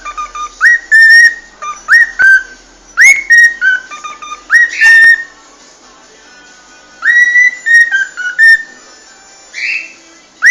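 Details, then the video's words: Cockatiels singing: clear whistled phrases that slur upward and then hold steady, given in bursts of three or four notes, a quiet gap of about two seconds, then another run of rising whistles. "شاهد اروع غناء من طيور الكوكتيل خرافي"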